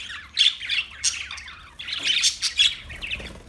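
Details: Short burst of parakeet calls: shrill squawks and chirps in two clusters separated by a brief lull.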